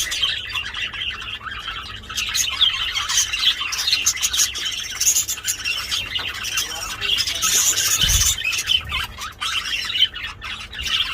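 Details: Loud budgerigars during mating: long run of fast, scratchy warbling chatter with sharp clicks, unbroken for eleven seconds, a short low thump near the eighth second.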